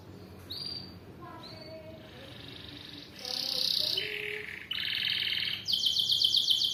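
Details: Canary song: soft, scattered chirps and faint notes at first, then louder buzzy rolls and a fast, even trill of repeated high syllables toward the end.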